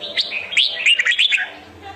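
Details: Red-whiskered bulbul giving its competitive fighting song, a lure sound for trapping and training birds: rapid, bright warbled phrases of slurred whistles, rising and falling, loudest mid-clip, then a soft low hum at the end.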